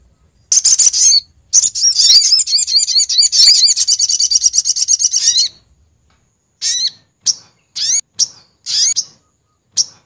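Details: Sunbird female (sogok ontong) calling the male, lure recording from Lumajang, Indonesia: a long rapid high twittering chatter lasting several seconds, then scattered short sharp high chirps.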